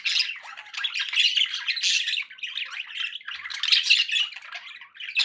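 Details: Pet budgies keep up a loud, dense chattering of grating squawks and high chirps, surging and easing without pause.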